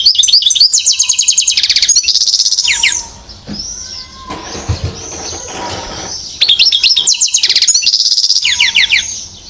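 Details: European goldfinch, one year old, at Mouzaia, Algeria, in 2012, delivering bright, rapid tinkling phrases of ticking notes and fast trills, broken by a quieter pause with soft low notes before the bubbling, twittering song bursts out again.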